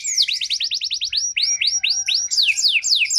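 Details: Canary singing as a lure track meant to trigger a response from canaries in poor form; a quick run of falling notes gives way to slower hooked whistles and then sharp downward slides.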